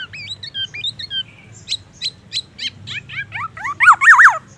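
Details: Black-naped oriole, a lively singer, mimicking magpie robin phrases: rapid series of clear whistled slurs and sharp rising notes, ending in loud looping wavering whistles, with faint low background hum.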